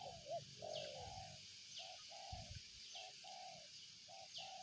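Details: Spotted dove delivering a steady run of soft, even coos, short notes paired with longer flat ones, over low rumble, an occasional high falling whistle from another bird, and an insect drone.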